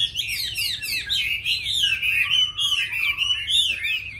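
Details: Chinese hwamei song: a rich, fast run of varied whistled phrases, sliding and looping up and down, delivered continuously with brief dips in loudness and a faint low hum beneath.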